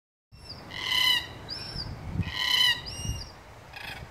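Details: Red-tailed black cockatoos in a weeping princess tree at Duncraig, Western Australia, on 11 January 2020 give harsh, rolling, grating calls in two long bursts about 1.5 seconds apart, with shorter notes between and a low rumble.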